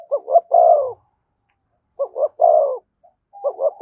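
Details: Spotted dove calling 'thúc gù' close to a decoy: two hurried low notes leading into a long, full, slightly falling coo, the phrase repeated about every one and a half seconds.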